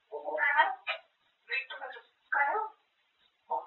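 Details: A talking grey parrot chatters in Korean, asking a magpie if it has eaten and saying it drank apple juice: four quick speech-like phrases with short pauses, in a clear mid-pitched voice; no other sounds.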